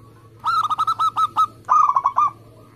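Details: Local zebra dove singing in a rapid, compact contest style: a run of about seven quick, clipped coos, a short break, then a second faster rolling burst.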